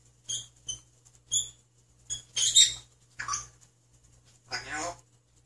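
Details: Young male grey parrot speaking Korean words, chattering in short, speech-like bursts with a few clipped whistled notes, about half a dozen phrases spaced roughly a second apart.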